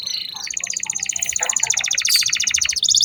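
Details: Canary song played for training young canaries: a long, fast, buzzy rattling trill of evenly repeated high notes, shifting pitch partway through, ending with a higher trill.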